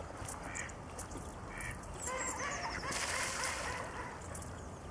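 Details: Mallards on the Alte Jeetzel river in Dannenberg, winter (31 December 2012 or 23 January 2013), filmed with a Canon IXUS 500 HS camera; several nasal, harmonic calls in short bursts over steady rushing background noise, rising in intensity midway.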